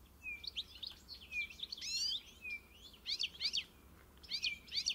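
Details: Encarte-style song of a European goldfinch: liquid twittering mixed with short buzzy tones and steep chirped sweeps, delivered in clustered phrases separated by short gaps against a soft, steady hum.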